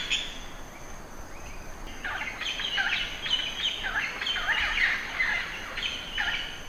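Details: A group of budgerigars keeps up a dense, continuous chorus of overlapping chirps and buzzy warbles, with a steady high hiss behind.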